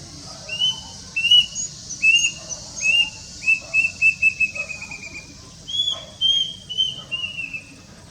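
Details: Plaintive cuckoo (Cacomantis merulinus), known locally as kedasih, wiwik kelabu or emprit ganthil, recorded on a Nikon Coolpix P900: a run of shrill whistled notes sliding slightly lower, followed by a few higher, drawn-out whistles.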